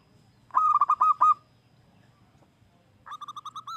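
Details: ['Local wild zebra dove song meant to attract other doves. A loud, fast burst of about seven rounded cooing notes, then quiet, then a softer series of similar rapid notes.']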